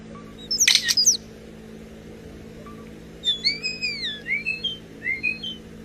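A common starling gives a burst of harsh chattering, then a run of sliding whistles and electronic-sounding warbles, mimicking mechanical noises; a faint steady hum underneath.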